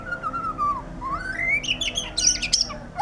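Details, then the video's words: White-rumped shama singing energetically: a clear whistled phrase gliding down, then rising slurred whistles climbing higher, ending in quick bright chattering notes, over steady low background hum. "suara burung murai batu gacor"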